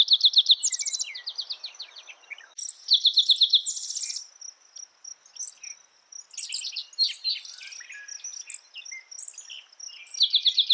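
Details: Several spotted towhee songs in succession, each a brief series of sharp chips and a quick buzzy trill, interspersed with chirps of other birds and a steady high insect hum.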